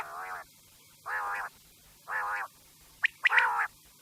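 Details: Quail calls for the night: three evenly spaced nasal, buzzy, harmonic bursts about half a second long, then a quick cluster of sharp, high, clipped notes over faint background hum.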